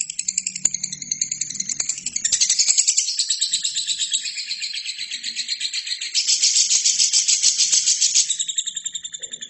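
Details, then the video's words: Lovebird in full song, recorded as a training track for other birds: shrill, rasping chatter of quick pulses, about three or four each second, growing louder after two seconds and again after six, over a faint low hum. "LOVERBIRD GACOR!!!"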